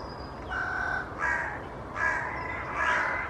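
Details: Carrion crows gathered in a large tree in Children's Wood, Hull, displaying with tail fanning but no aggression, give four harsh, nasal caws about one per second; light background hiss and a faint thin whistle.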